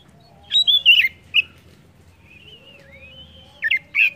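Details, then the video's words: Oriental magpie-robin song played to prompt other birds to sing: a few loud slurred whistles, a quiet stretch with soft thin wavering whistles, then two short sharp whistled notes. "PANCINGAN KACER AMPUH!"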